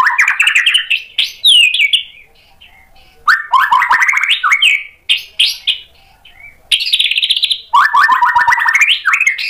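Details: White-rumped shama singing in response to a provoking lure, showing its mimicked material. Three loud outbursts of rapid rising trilled phrases and chatter are separated by short quiet gaps.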